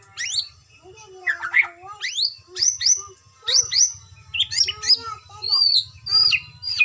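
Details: Captive white-rumped shama exercised by routine free flight to improve stamina; loud sweeping whistles and sharp downslurred notes in varied phrases, with faint low hum.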